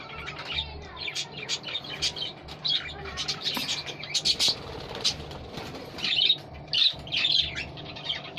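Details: Pet budgerigars (Melopsittacus undulatus) mating chatter with rapid warbling chirps and scratchy squeaks in courtship; the owner says they are playing, not fighting.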